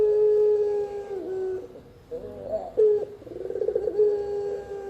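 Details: Spotted dove for luring and master training: long steady low coo fading out, a pause, then quick throbbing pulses building into another held mellow note.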